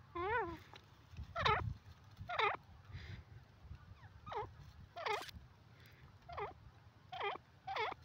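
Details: Repeated harsh calls of a grey francolin, or teetar. About eight rasping notes sweep down and back up, spaced roughly one second apart, with low rumbling noise throughout.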